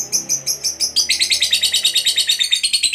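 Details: Competition fighter lovebird in the long 'ngekek panjang' trill style: a fast, even, chattering trill of about three notes per second that drops slightly in pitch after the first second and runs without a break.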